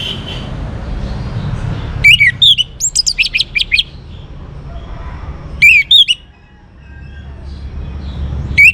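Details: A young orange-headed thrush in full song from North Bali, Singaraja, used to prompt other birds to sing. Loud, sharp, rapidly swooping whistled phrases come in two bursts, the first longer and stuttering, over a low background hum.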